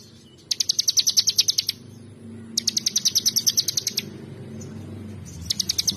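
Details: Ciblek, the bar-winged prinia, singing gacoor: three sharp bursts of fast, high, metallic chip notes, each lasting about one to one and a half seconds, with low murmuring background noise between.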